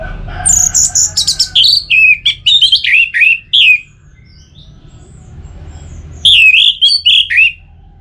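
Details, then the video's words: Orange-headed thrush in captivity in Bali, used to stimulate song in all seasons; dense bursts of high, rapid warbling and chattering notes, a quiet gap, then another lively phrase. "Pemancing Burung ANIS MERAH Agar Selalu Gacor"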